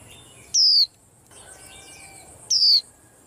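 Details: White-eye singing, with two loud, bright, high whistled notes sliding downward about two seconds apart over faint soft twittering in the background.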